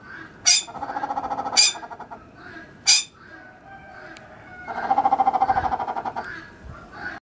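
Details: A grey peacock-pheasant gives its courtship song: fast, low, rattling series of clucking notes, two bursts about a second long, broken by three sharp, harsh squawks.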